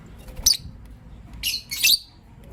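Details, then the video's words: Morning chirping from pet lovebirds, a green Personata and a pastel white: one brief harsh chirp, then two quick bursts of scratchy high chirps close together. "Relaxing Lovebird Chirping Sounds"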